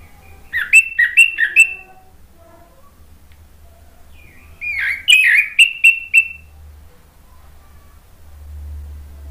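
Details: Orange-headed thrush singing as a lure to draw replies from other birds. Two bursts of about four sharp, repeated, slurred notes come roughly four seconds apart, with a low hum near the end.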